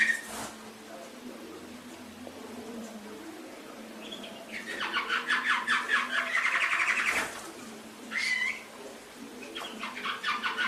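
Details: Canary song from an Indonesian masteran recording meant for training pet canaries: a quiet start with scattered chirps, then a loud, rapid buzzy trill running about four seconds, followed by short whistled bursts and rolls.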